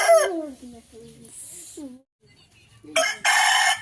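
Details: Rooster crowing, recorded on a smartphone: a falling, harmonic crow tail opens, soft clucks and rustles follow, then a loud, harsh, rasping crow bursts out near the end.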